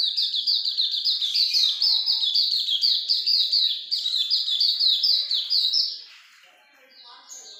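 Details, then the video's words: Ngalas longgun song of a Hume's white-eye, sung vigorously: about six seconds of rapid, high-pitched, downward-sliding chirps strung tightly together, then a faint quieter pause with a soft note at the end. "Pleci Auriventer gacor ngalas longgun"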